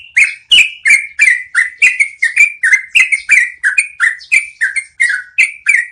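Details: Yellow-vented bulbul in a long rolling song used to train cage birds: a steady stream of rich, gurgling notes with bright overtones, repeated roughly three times a second across the whole stretch.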